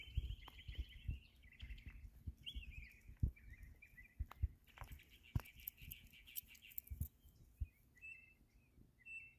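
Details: A local mockingbird singing and imitating different noises: a long run of varied whistled and chattering phrases, switching often in pitch and pattern, over frequent low thumps and rustling close by.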